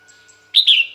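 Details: Female red-whiskered bulbul calling for males; two rapid, loud whistled notes run together, the second drawn out and easing lower, over a quiet background.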